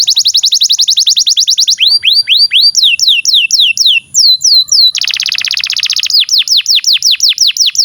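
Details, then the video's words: Tutor song of a canary for young and silent canaries: rapid high trill, then rising and falling whistled swoops, a dense buzzy rattle, and a final series of sharp descending whistles, continuous and loud. "SUARA BURUNG Kenari GACOR PANJANG INI Cocok untuk Masteran KENARI PAUD dan Kenari Macet BUNYI"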